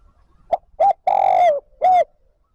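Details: Lure spotted dove calling to bring wild doves back to the flock: a clear phrase opening with two brief coos, swelling into a long coo that dips at the end, then one short final coo.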